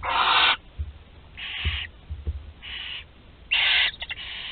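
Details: Barn owl chicks in a nest at Théding, France, 20 July 2020, a 13-day-old swallowing prey whole; rasping hissed screeches of about half a second repeat four times, with soft low thumps and rustling between them.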